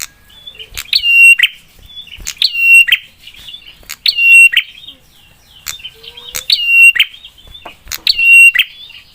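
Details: Prinia with a sharp, emotive song used to make other prinias reply fast: six loud, regular phrases about every one and a half seconds, each a click, a steady whistled tone and a rasping end.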